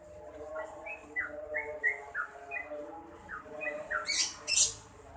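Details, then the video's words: Actively singing yellow-vented bulbul delivers soft, scattered slurred notes over a noisy background hum, ending with two loud sharp rustling bursts. "SUARA BURUNG TRUCUKAN GACOR"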